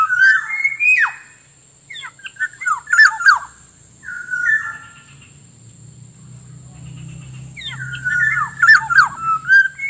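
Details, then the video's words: Wild black-naped oriole lure sound: three groups of fluted whistles mixed with quick, sharp, descending notes, the groups spaced several seconds apart, with a low humming rumble in the middle and a steady high electronic tone. "suara pikat burung kepodang ampuh langsung dapat banyak"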